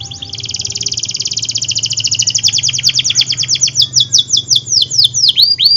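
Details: Energetic canary song used to encourage hard-to-start and young canaries: a long, steadily accelerating rolling trill that breaks into loud descending swoops, with a faint low hum underneath.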